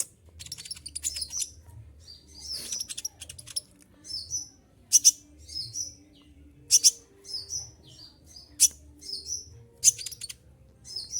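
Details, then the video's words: Olive-backed sunbird in moult, kept as a songbird, delivers a busy run of shrill 'tembakan' phrases: dense high chirps and piercing bursts repeated every second or so, over a low hum. "konin lagi mabung bulu rontok semua tetap gacor"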